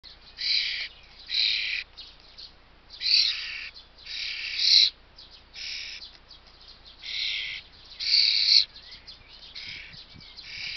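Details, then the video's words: Hungry young common starling begging, photographed 21 May 2024: harsh, broadband rasping bursts repeated roughly every one to one and a half seconds, each about half a second long, with quieter chatter between. "Der junge Star hat auch Hunger"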